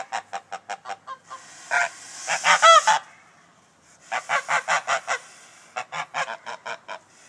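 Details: Farm geese honking as they guard their farm against an intruder: a rapid series of loud, nasal honks in quick bursts, several overlapping and harsher in the middle, then more evenly spaced honks resuming.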